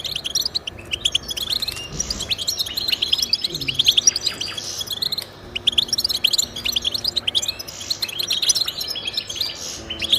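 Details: Song of a European goldfinch used to get pet goldfinches singing: cheerful jumbled chirps and trills in rapid phrases, a brief dip near five seconds, with soft low background sounds.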